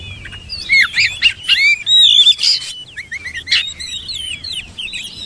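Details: Oriental magpie-robin singing a varied run of clear whistled phrases, some rising and some falling slurs, delivered in quick bursts with brief pauses, over a quiet low background hum.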